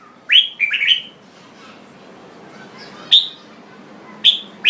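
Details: A singing jambul bird opens with a quick cluster of rising, ringing whistles, then pauses before single sharp chips near the end, over a quiet hum.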